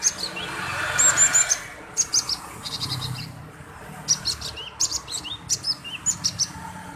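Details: Persistently singing male cinereous tit, played to prompt other birds to sing: bright, very high chirps in rapid short groups, some upslurred whistles, and a soft rushing background between the bursts.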